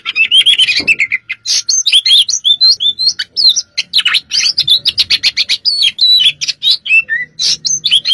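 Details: Oriental magpie-robin in combative song: clear descending whistles open, then fast alternating chips, trills and high whistled phrases run continuously.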